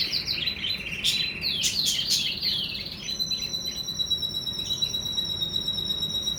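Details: Budgerigars during mating: busy warbling chirps and quick rising squeaks for about three seconds, then steady thin high tones with occasional chirps over a constant background hiss.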